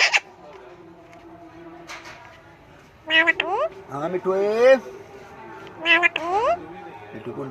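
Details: Talking parrot producing speech-like phrases of harmonic, wavering tones that rise and fall, in two bursts of chattering syllables separated by a quieter steady hum.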